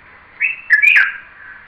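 A Red-vented bulbul gives a brief, cheery whistled call: a short note, then a slurred, warbling phrase, over a steady hiss.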